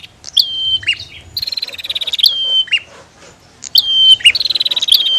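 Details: Bar-winged prinias, female and male, giving sharp notes that fall into level whistles, then long buzzy pulsed trills, in two main bouts with a faint low rumble underneath.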